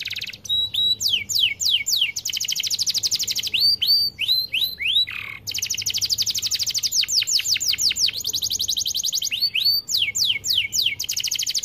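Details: Continuous canary song for stimulating silent canaries: dense rolling trills alternate with series of falling whistled sweeps, with a short harsh rasp in the middle and almost no pauses across the phrase.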